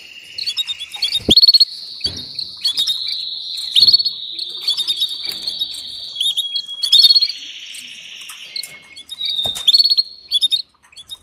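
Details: Female canary calling the male for mating. Long, sustained high trills and rolling tones continue for several seconds, broken by sharp chirps and a few clicks.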